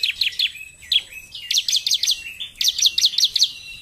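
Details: Energetic narung song of a bar-winged prinia, quick high chirps strung into fast repeated series of five or six notes with short slurred whistles between them.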